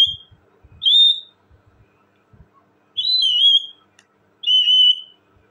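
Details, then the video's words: Talking parrot giving four loud, clear whistled notes, each about half a second long, level or slightly wavering, spaced by short pauses, with faint low knocks in the background. "talking parrot bird,parrot ki awazz"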